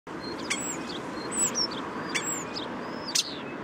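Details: Common starling singing its classic song, recorded with a Telinga parabolic microphone with light car noise nearby: thin high whistles, sharp clicks and short slurred notes scattered over a steady traffic hum.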